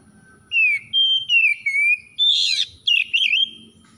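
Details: Oriental magpie-robin, an untrained kacer bahan, breaking straight into gacor song: a run of loud, clear whistles that slide up and down, then a harsher, buzzy rasping note and a wavering whistled trill, with a faint low hum behind.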